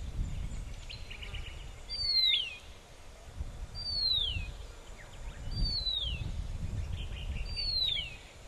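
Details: Horsfield's bronze-cuckoo singing on Postman's Track near Samsonvale Cemetery, south-east Queensland: high, thin descending whistles, each a downslurred note repeated about every two seconds, four times, over low rumbling background noise.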